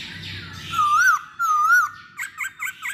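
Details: Masked laughingthrush singing as a lure for other birds: two long wavering whistles with a rise and fall, followed by four short quick yelping notes.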